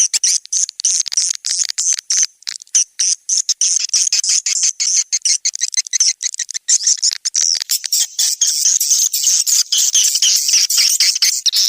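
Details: Swiftlets on the Indonesian outdoor lure sound SP Anak Gembala, used for swiftlet houses in Sóc Trăng and Đắk Nông, Vietnam: rapid, very high clicking chirps, about three a second, that merge into a steadier shrill twitter toward the end.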